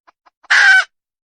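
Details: Wild junglefowl hen giving three faint soft clucks, then a single loud, rasping squawk of about a third of a second. Nothing else is heard.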